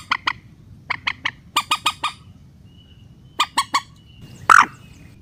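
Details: Rail lure call for net trapping, a calm-sounding recording: short series of two to four harsh, nasal notes spaced by pauses, ending with one louder, blurred squawk.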